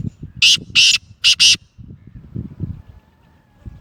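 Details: Kala Teetar, or black francolin, of Gangas Sheedi Lakka cross nasal type, gives a loud harsh call: two grating notes, then a quick close pair, over soft low background rumble.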